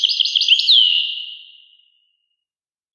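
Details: Wild European goldfinch, Carduelis carduelis, singing: a quick string of tinkling, twittering notes ending in a long downslurred whistle that fades out, then silence.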